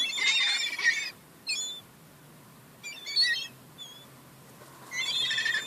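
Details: Young gulls contesting crumbs, calling in three loud bursts of shrill, wavering squeals, separated by brief pauses with single thin whistles.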